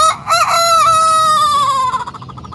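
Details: Sanjak cockerel just starting to crow: one drawn-out, harmonically rich crow held level for about two seconds, dipping slightly and fading in a wavering tail.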